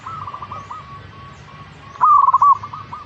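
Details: Local zebra dove song, played to stimulate a caged bird to sing. Soft, low, trilled cooing phrases run faintly through the background, then one louder, rolling cooed phrase of rapid pulses lasts about half a second.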